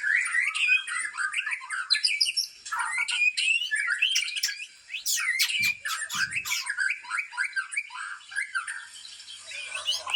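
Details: White-rumped shama of the Aceh type, an original breeding bird from Lamteuba, in a loud, dense, rapid song of varied chirps, slurs and piercing high notes that pours out almost without pause. Two brief low thumps come near the middle.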